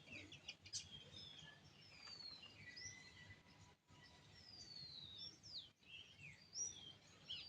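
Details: Birds chirping in the morning at sunrise: long, high, downward-slurred whistles and sharp upward chirps overlap irregularly, with scattered thin twitters against a soft low hum.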